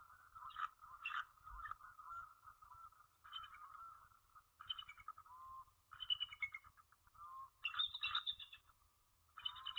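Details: At Jordan Lake on 21 January 2013, a female bald eagle at the nest calls to her mate in the late afternoon: varied squeaky, stuttering phrases rising and falling, some with bright overtones, coming in irregular bouts.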